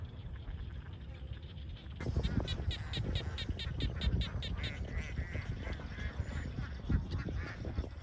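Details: Young domestic ducks in a large farm flock. After two quieter seconds, loud nasal quacks start and repeat quickly in an uneven stream over steady low rumbling background noise.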